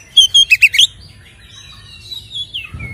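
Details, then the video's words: White-rumped shama song meant as a lure to rouse captive birds: a quick burst of five sharp chirping notes, then softer, thin whistled phrases trailing off, with a low thump at the end. "SUARA BURUNG Kacer gacor isian NGEPLONG TARUNG ini paling AMPUH buat PANCINGAN KACER agar EMOSI"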